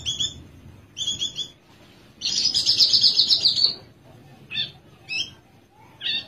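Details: Caged Horsfield's bush lark from Java sings paired high chirps, then a loud, buzzy rattling trill of about one and a half seconds, followed by scattered sharp chirps.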